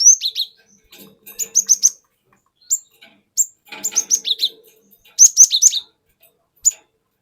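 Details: Forest-caught cinereous tit singing a rolling lure song: scattered high chirps building into fast clusters of downslurred whistled notes, with brief quiet gaps between phrases.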